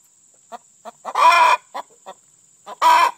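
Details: Hen singing her egg song to announce she has just laid an egg: short clucks spaced about a third of a second apart, broken by two loud, harsh, drawn-out squawks, with a steady high electrical whine behind.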